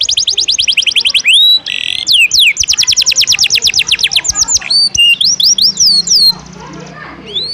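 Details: Canary in full song for bird training: quick repeated sweeping notes in long trills, interrupted by a brief harsh buzzy phrase and varied whistled slurs, fading near the end.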